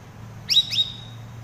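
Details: Two rapid high down-slurred chirps with drawn-out thin tails from a cucak rawis, a chatty bird used as master song for training cage birds; faint low hum behind.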